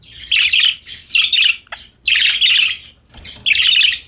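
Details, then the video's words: Cheerful budgerigars singing during play: four dense, buzzy chattering bursts, each about half a second long, spaced about a second apart, with a sharp click in between. "Happy Parakeets Chirping Sound"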